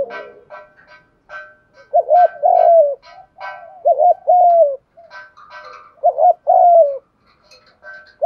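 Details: Spotted dove cooing as a lure to attract other doves: repeated low phrases of a clipped double hoot and a longer descending coo, about four in a row, over steady faint ticking and higher chirps.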